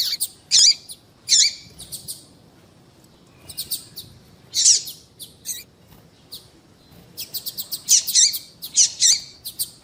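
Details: A female yellow-bellied seedeater calls to excite males, giving loud, high chirps and dense ticking bursts, with a quiet spell in the middle.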